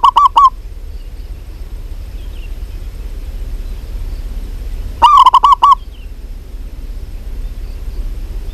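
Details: Rolling, rapid cooing of a local zebra dove, possibly a female calling a male: a cut-off phrase at the start, then one full five-note phrase after about five seconds of quiet with faint distant chirps.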